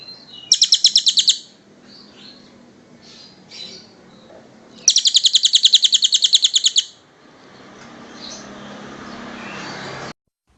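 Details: Master recording of a kingfisher for teaching cage birds: a one-second burst of rapid high notes, then a longer two-second fast chatter, followed by a rising hiss of background noise before the sound cuts off.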